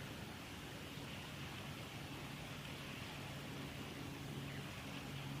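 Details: Steady, even hiss across the whole range with a low rumble underneath, like distant traffic or wind, and no animal calls standing out.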